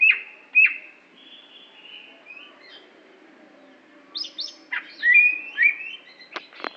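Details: Greater green leafbird, Aceh variety from Indonesia with a contest record, opening with two sharp whistles, a long soft warbling stretch, then louder slurred whistles and abrupt clicking notes near the end.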